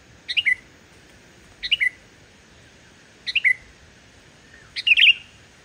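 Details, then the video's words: Sooty-headed bulbul in full lively song, pure with no imitated notes, meant as a lure for bulbuls that are slow to sing: four stepped, falling three-note whistled phrases about one and a half seconds apart. The last phrase is longer and richer. "suara burung kutilang gacor tanpa isian, ampuh buat pancingan burung kutilang yg male bunyi"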